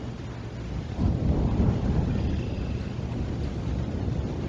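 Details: Outdoor wind rumble swells and buffets the microphone on 11 April 2021, with no animal call heard.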